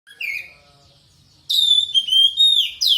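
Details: Oriental magpie-robin song used as a lure to stimulate another bird to sing: a short whistled phrase, a pause, then a long sweeping series of high, slurred, downward whistles.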